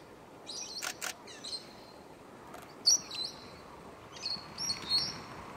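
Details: Meyer's parrots gathering shortly after sunrise to eat mud at a lick on the Kaingu loops: scattered, high, squealing calls in short bursts, some louder and closer, over a constant background hiss.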